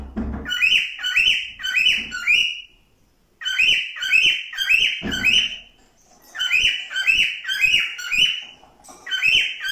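Cockatiel singing in three bursts of quick, bright whistled chirps, each phrase a run of rising, warbling notes about two and a half seconds long.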